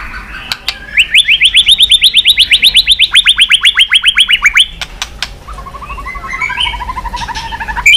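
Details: White-rumped shama, stimulated to sing while flicking its tail. Rapid run of sharp, even notes at about four per second, rising then holding steady, followed by a lower, faster trill after a brief pause.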